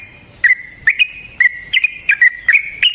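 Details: Fighting song of a Yellow-vented bulbul, used as a lure to make another bird sing; short, bright whistled notes in pairs and triplets repeat at a steady brisk pace, each slightly sliding in pitch.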